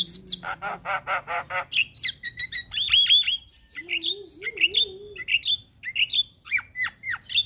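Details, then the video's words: Energetic Black-winged starling song with nodding: an opening rapid series of buzzy rattling notes, then sharp upslurred and downslurred whistles and short squawks repeated in quick succession, with a faint low warbling sound in the middle. "Jalak Kebo gacor manggut Manggut"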